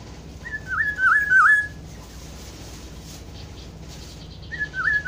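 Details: Fluty wavering whistles of a black-throated oriole (kepodang hutan): one full looping phrase, a long quiet gap, then the start of a second phrase at the end.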